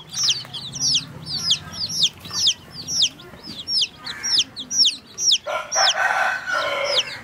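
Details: Chicks drinking water keep up rapid, high, sharply descending peeps about twice a second, overlapping at times. A broad, rougher burst of sound comes in over the last two seconds.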